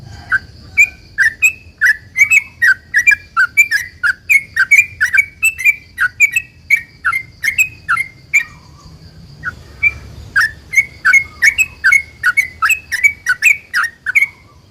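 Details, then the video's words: Sooty-headed bulbul in a long lively song meant to coax other bulbuls into answering, a continuous run of clipped bright notes, each bending down then up, with a short pause near the middle before the chirping resumes. "trucukan gacor ROPEL PANJANG ini buat pancingan trucukan agar bunyi"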